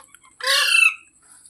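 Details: Talking parrot gives one loud, drawn-out, raspy screech lasting about half a second, harsh and harmonic-rich, in otherwise quiet surroundings.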